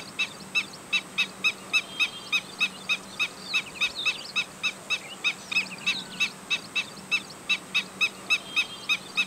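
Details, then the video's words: Black-winged stilt repeating sharp, squeaky kek calls several times a second in a fairly steady series, some softer bird twitters faintly in the background. "call of black winged stilt | call of Himantopus himantopus | शेकाटया | गजपाँव"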